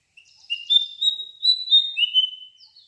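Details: Bird singing a short phrase of clear, high whistled notes, some slurred and level, others dipping and rising, in a quiet setting.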